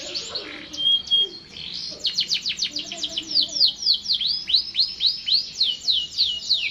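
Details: Canary in continuous song: soft chatter and a short whistle give way to a long series of loud downward-sweeping notes repeated about four times per second.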